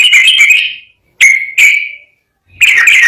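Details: Yellow-vented bulbul (trucukan) singing clear, lively gacor ropel garuda-style song: three bubbly, warbled bursts of notes, with a short double phrase between, separated by brief silences; no other sounds.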